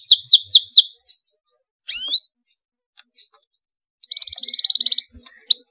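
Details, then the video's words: Canary pouring out an excited rolling song to spur other canaries into singing: four clipped falling notes, a rising whistled sweep, scattered ticks, then a dense buzzy trill and a final upward whistle. "KENARI GACOR EMOSI NGEROLL RAPAT, DIJAMIN KENARI LAIN AKAN NYAUT IKUT GACOR"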